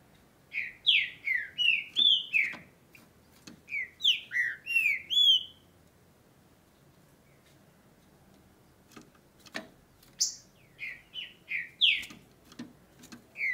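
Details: Green-winged saltator (trinca-ferro) in Brazil singing during the breeding and tournament season: a phrase of about eight rich, slurred whistles falling and rising, then a pause and a second similar whistled phrase with a few sharp clicks.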